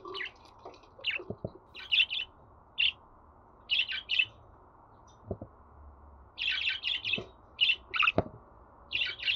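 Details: Budgerigar chatter used to coax a pet bird into song: a run of short, high chirps in clusters, some doubled, with faint clicks and taps between them and a low background hum.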